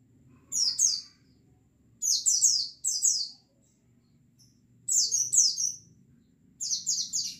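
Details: Flock of white-eyes recorded as a lure to prompt wild-style singing: bursts of high, thin, downward-slurred chirps in groups of two to four, recurring every one to two seconds above a faint low rumble.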